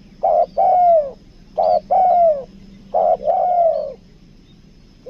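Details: Lure spotted dove from Lombok giving its 'kuk dua' coo: three deep phrases about 1.4 seconds apart, each a brief note followed by a drawn-out, downslurred note, over a quiet steady background hum.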